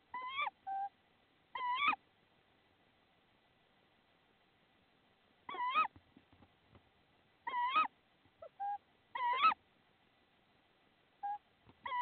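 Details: A tawny owl in Estonia on 10 April 2016, bringing prey. It gives harsh, rising-and-falling calls, one or two at a time, spaced a few seconds apart, with soft short notes between them.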